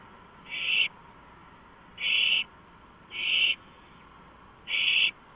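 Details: An owl on a porch at 2:05 AM on 5 April 2015 gives harsh, breathy hissing bursts, each about a third of a second, four in five seconds at irregular spacing over a steady low background hum.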